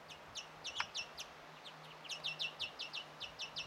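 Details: European greenfinch chick begging while a parent feeds it, recorded 1 June 2017: short high chirps, first scattered, then a quicker run of similar sharp notes near the end over a faint low hum.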